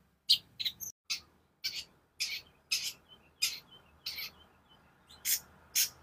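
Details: Long-tailed shrike song for teaching other birds and prompting them to sing: a steady run of about a dozen loud harsh rasping notes, some with brief whistled tails, spaced roughly half a second apart.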